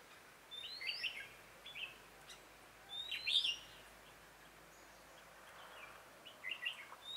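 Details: Red-whiskered bulbul singing as a trapping decoy on 27 October 2017: three bright, fluty warbled phrases with quick upslurred notes, spaced a few seconds apart against steady background hiss.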